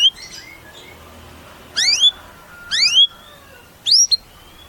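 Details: White-rumped shama giving three separate phrases about a second apart, each a cluster of sharp rising slurred whistles, with softer warbling notes before them.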